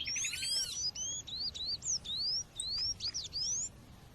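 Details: A female seedeater calls over a natural background to rouse males: a string of clear, rising, whistled 'sweet' notes about every half second. Another bird gives a ringing, arched call at the very start.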